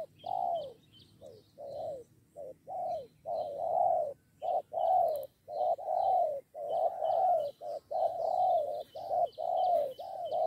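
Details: Spotted doves lured by a decoy and ready to fight, two birds joining against one. Low, mellow coos in paired and triple phrases repeat steadily, almost one note a second, with faint high chirps from other small birds behind.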